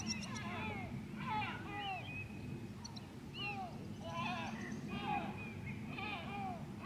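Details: Recorded 16 July 2024 at Grönvik, Ornö: a White-tailed eagle gives scattered, descending yelping notes in small groups, with a low droning hum throughout.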